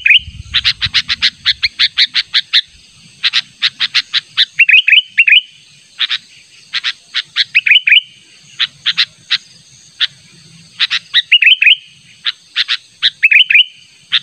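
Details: Sooty-headed bulbul in a natural-sound lure recording, calling insistently to draw in a rival: rapid series of sharp, bright chirps in quick bursts, broken by short bubbly warbled phrases every few seconds, with faint low rumbling early on.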